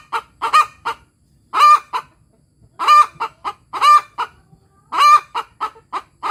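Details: Ayam kampung hen cackling after laying, as other hens answer in turn. Quick clucks build into harsh, ringing drawn-out cries, repeated in clusters roughly once a second.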